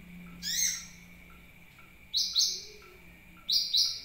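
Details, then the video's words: Sunbird call played as a lure to draw birds in: three bright, high, downward-slurring chip bursts, the later two doubled, spaced over a second apart, with a constant thin background tone. "suara pancingan burung kolibri"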